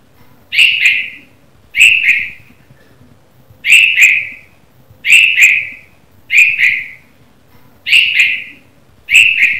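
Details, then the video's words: Morning chirping of a red-vented bulbul: seven loud, clipped two-note chirps repeated roughly every second and a half, each pair sharp and bright with a trailing fall, over faint background hum. "Red Vented Bulbul Chirping Sound - The Morning Sound Of A Bulbul Bird"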